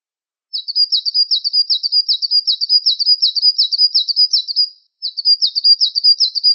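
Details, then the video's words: Gelatik wingko singing in a masteran recording: a rapid, rolling chain of high warbled notes at an even pitch, continuing for about four seconds, a brief break, then resuming in the same pattern. "Suara Masteran Burung Gelatik Wingko"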